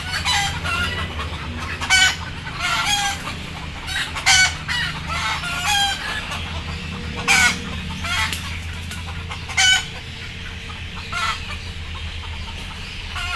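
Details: Chickens, frightened and sleepy, about to be put on board, utter sharp squawks and clucks at irregular intervals, roughly every second or two, against a constant low mechanical drone.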